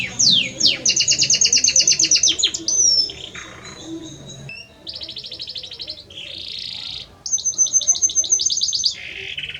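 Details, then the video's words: Male Belgian canary in full song to his hen: steep falling whistles, fast high rattling trills, a low grating phrase, and further bright trills separated by short gaps. "Canta muito este Canário Belga para sua Fêmea - Canary Singing"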